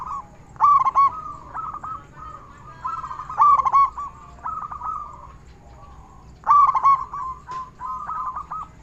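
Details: Local zebra dove with a large voice, singing freely, used to lure other zebra doves to sing. Three loud stuttering coo bursts, roughly three seconds apart, each followed by softer drawn-out rolling coos.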